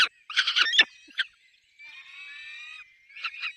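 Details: Peregrine falcon at its nest with chicks: a few loud, grating pulsed bursts, then a thin, faint, steady whining tone lasting about a second, followed by two more short rasping notes.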